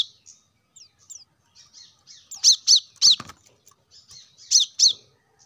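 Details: Plain-throated sunbird in full voice, meant to make caged birds sing sooner: soft, thin twitters, then a cluster of three loud, sharp high chirps, a rustle, and a final pair of chirps.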